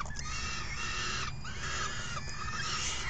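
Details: Hungry falcon young in the nest, June 3 2018, call while being fed by a parent. Continuous raspy, tonal wailing from several chicks with a brief pause, over constant low-pitched background hum.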